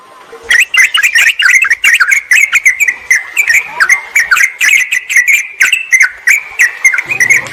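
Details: Bulbul lure sound of a sooty-headed bulbul challenging a rival: rapid chattering notes in a steady stream, accented by clicks, ending with a low hum.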